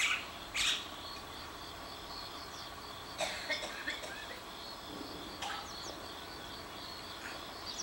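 Black-collared Starling giving harsh, scratchy calls in short bursts a few seconds apart, over a steady high insect-like hiss.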